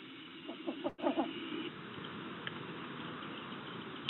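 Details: A Least Bittern in a Maine cattail marsh gives a brief run of five or six soft, low cooing notes, evenly spaced, over a steady hiss of marsh background noise.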